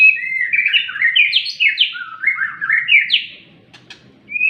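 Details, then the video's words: Sunning caged white-rumped shama pouring out a quick descending series of sweet whistled and slurred notes, then a brief quiet gap and a final clear rising whistle. "Burung Murai batu jemur | White-rumped shama"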